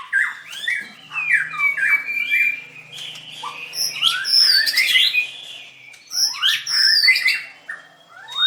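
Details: White-rumped shama from a singing contest on 7/25/16, dancing while singing: looping whistled notes that rise and fall, mixed with harsh bursts, over a faint low steady hum.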